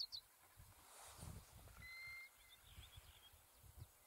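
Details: A European golden plover in Iceland gives a single clear, plaintive whistle lasting about half a second, over low wind rumble with a few faint high chirps.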